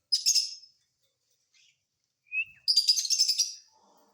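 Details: A caged-pet rose-ringed parakeet, now out of its cage, lets out two bursts of harsh grating screeches separated by near silence, with a brief thin whistle just before the second burst.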